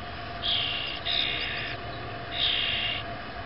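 Young grackles give three harsh, raspy, hissing begging calls, each about half a second long, over a steady low hum.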